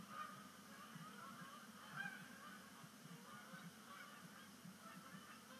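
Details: Flock of Canada geese at the season's first sunset splashdown on Sapsucker Woods Pond, 5 October 2019, as migration begins. Continuous overlapping honks, with a few louder notes standing out from the dense chorus.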